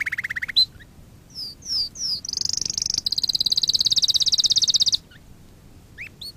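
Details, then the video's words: Canary lesson song for training other canaries: a short low trill, three high slurred chips, then a long fast high trill about two seconds long, and a couple of soft calls after a pause. "Kanarya ötüşü- Kanarya dersi-kanarya coşturma"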